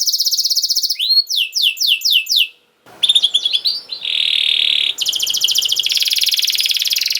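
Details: Canary song meant to get young canaries singing: a rapid high trill, a series of quick falling whistles, a short gap, then mixed notes, a steady buzzy tone and another fast trill over faint background hiss.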